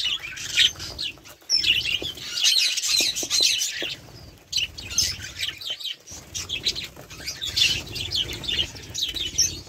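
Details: Several budgerigars keep up a busy, scratchy warble of fast high chirps and squeaks in uneven bursts, over a faint low hum.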